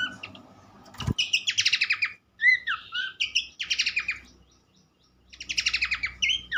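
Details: Horsfield's babbler (pelanduk semak) in lively song: a sharp click, then quick rattling runs of buzzy notes alternating with short slurred whistles, a brief pause, and another buzzy run ending in whistles; low rumble beneath.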